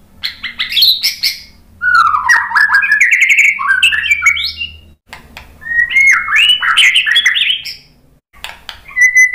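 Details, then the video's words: White-rumped shama singing, intended as a lure to get birds to respond and sing. Fast, varied phrases mixing rising whistles, squeaky trills and harsh chattering squawks, with sharp clicks, broken by two brief pauses. "suara MURAI BATU bikin cepat NYAUT jadi GACOR BONGKAR MATERI ISIAN ¦ PANCINGAN MURAI ¦ SHAMA BIRD"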